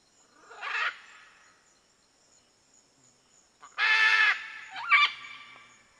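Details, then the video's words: Red-and-green macaw calling: a short raspy squawk, a long pause, then a louder, broad, harsh scream followed by a brief rising squeal. The background is quiet. "CANTO DA ARARA-VERMELHA"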